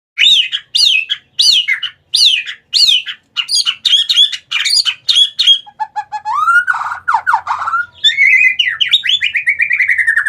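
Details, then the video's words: White-rumped shama (murai batu) song used as a lure to get reluctant shamas singing: sharp upward-sweeping whistled notes repeated about every half second, then fluttering trills and a long rich warbled phrase. "Pancingan burung murai batu malas bunyi jadi ikutan gacor"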